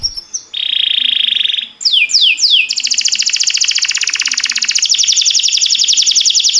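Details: Timbrado canary song meant to train other canaries: brief chirps, a sustained buzzy roll, three descending glides, then a long fast rattling trill.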